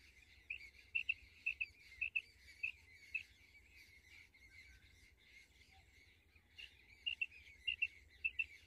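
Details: Female common quail calling: short sharp paired chirps, spaced unevenly, in bursts with pauses, over faint low hum.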